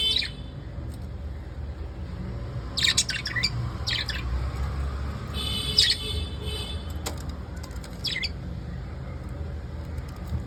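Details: Evening calls of pet lovebirds: sparse clusters of shrill, rasping squawks separated by pauses of a second or more, with faint whistled tones and a steady low hum.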